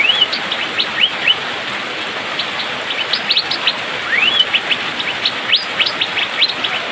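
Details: Rainy-season song of an Asian fairy-bluebird, fast and dense: clear whistled notes sweeping upward, some long arching slurs, delivered in quick clusters against constant hissing rain.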